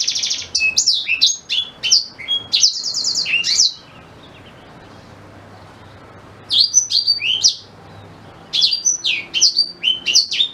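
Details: Singing black-throated canary, recorded as training song for a white-rumped shama: nearly four seconds of rapid chattering trills and sweeps, a long pause, then two shorter phrases of high slurred notes.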